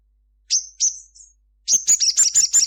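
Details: Midday song of a sunbird known locally as sogon, rendered 'cruit cruit': three high whistled notes, each trailing off and growing softer, then a pause and a rapid burst of about seven sharp, high-pitched chirps.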